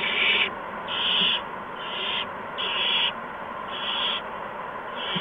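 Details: Nest owlets fed mice and a gopher by adult owls around 8 PM, 13 March 2015; six coarse, hissing screech bursts about half a second long, spaced roughly one second apart.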